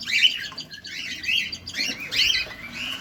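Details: Close-up feeding cockatiels in captivity giving dense, wavering chirps and rising squeaky notes in quick succession, with little pause between.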